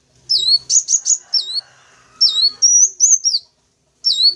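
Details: Lure sound for catching the attention of wild sunbirds: a burst of high sharp chips, a pause, then swooping whistles and a quick run of thin notes, ending with a single downslurred call.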